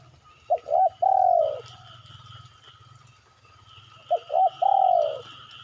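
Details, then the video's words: Spotted dove call used as a lure to make birds respond: two phrases roughly three seconds apart, each two brief coos then a long falling coo, over a low engine-like hum. "pancingan suara burung derkuku pasti pada yaut"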